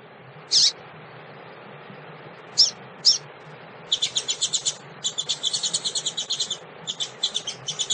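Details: Female double-collared seedeater calling to stimulate males: a few isolated sharp high chirps, then from midway rapid bursts of high, chattering notes in quick runs over a low steady background hum.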